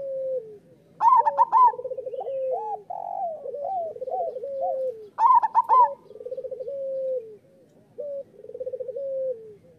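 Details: Brisk singing of local zebra doves, used to train or stimulate doves to sing: two loud trilled, stuttering bursts about four seconds apart, with overlapping purring rolls and looping rising coos between them.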